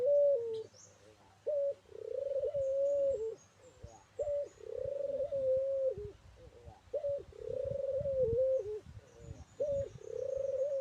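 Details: A local turtle dove singing energetically. It gives steady, low, droning coos about a second and a half long, each starting with a brief higher note, in a regular series. Soft clicks and faint high chirps sound in between.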